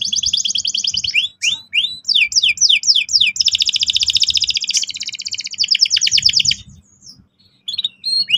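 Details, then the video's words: Singing canary meant to spur juveniles into rolling song: sweeping chirps lead into a long, very fast buzzy roll of uniform notes, followed by brief pauses and scattered high notes. "PANCINGAN BURUNG KENARI GACOR EFISIEN AGAR PAUD CEPAT NGEROL TAJAM & PECAH SUARA"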